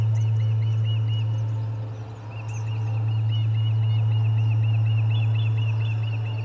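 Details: Ospreys at the Charlo nest on 30 July 2020, amid commotion around a fish delivery: long series of shrill, arched whistled chirps, about three per second, over a steady low electrical hum.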